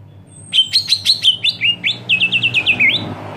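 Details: Greater green leafbird screaming, a call said to provoke other leafbirds: shrill rapid notes, a stuttering burst of sharp chips, then a quick run of slurred whistles over a faint low hum.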